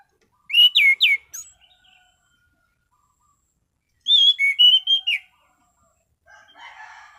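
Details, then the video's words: Relaxed orange-sided thrush in good condition with steady, clear ngeplong singing: a quick burst of three steep whistled slurs, a pause of about three seconds, then a longer phrase of wavering whistles, ending in faint rasping. "Burung Anis Cendana Ngeplong Santai"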